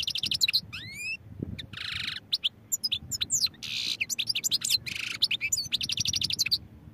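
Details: European goldfinch singing a rapid, varied song of high twittering notes, steep rising whistled slurs and dense buzzy rattles, delivered in bursts with short pauses.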